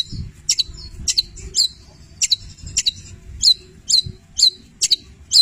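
Long-tailed shrike giving sharp, high, squeaky chirps, about two per second, over a low rumbling background.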